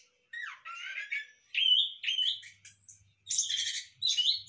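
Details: Hanging-cage breeding orange-headed thrush utters separate whistled phrases, some sliding up and down, then finishes with louder rasping bursts, over a faint low hum.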